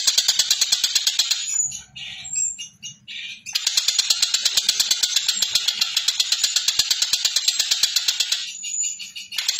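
A collared kingfisher gives long runs of harsh, high, rapidly repeated notes, nearly three a second, broken by short pauses with a faint low hum.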